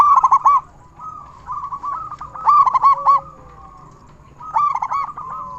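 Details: Local Indonesian zebra dove, a loud, highly vocal bird used as a lure to set other zebra doves singing: short bursts of rapid, ringing, bubbling coos in phrases, with softer cooing from other doves behind.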